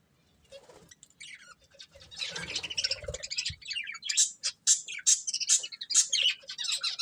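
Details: Breeding pair of budgerigars, quiet at first, then chirping in rapid, sharp, high-pitched notes about twice a second over scratchy warbled chatter, with low rustling early on.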